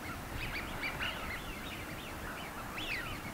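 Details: Small party of Eurasian wigeons on the Seno River, Hiroshima, Japan, on 17 March 2018, in early spring before migrating. Males raise their closed wingtips at a female and call, possibly as courtship display or threats to rival males. Several give overlapping high, whistled whee-oo calls that rise then fall, over a low rumble.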